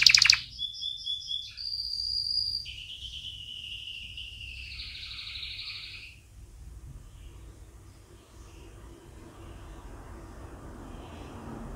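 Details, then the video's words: Canary singing to teach chicks: a few seconds of high trills and a sustained whistled phrase, softer and thinning out, followed by several seconds of low background hiss without song. "Canary Singing - Most Spectacular HD Video Training For Chicks"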